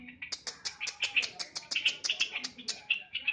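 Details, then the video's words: Sooty-headed bulbul, called trucukan, giving a fast run of sharp, bright repeated notes, about five or six each second, steady throughout with no other clear sounds. "Burung trucukan"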